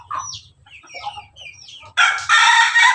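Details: Crossbred chicken of Pelung, Bangkok and Ketawa lines crossed with Jogja chicken, crowing: scattered high chirps and a low hum for two seconds, then a loud, harsh, harmonic-rich crow bursts in and carries on to the end.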